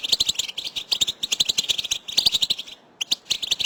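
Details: Goldfinch group batbata, used to push silent males to sing and mate: rapid, glittering chirp series in tight bursts, one short silence near three seconds, then sharp twitters again.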